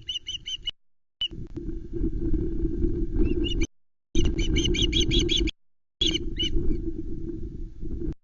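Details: Loch Arkaig osprey nest on 19 July 2020, three chicks competing for a newly delivered whole trout. Brief bursts of fast, high chirping stand out against heavy low rumbling, likely wind, which dominates between the calls.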